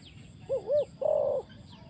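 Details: Decoy spotted dove placed on the ground for trapping gives two short arched coos, then a longer held coo after a brief pause, with faint high chirping birds and low rural noise around.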